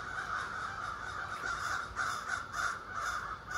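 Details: Morning chorus from a flock of more than thirty ravens roosting in trees across the street, with rough, grating caws overlapping continuously and several louder bursts standing out every half second or so.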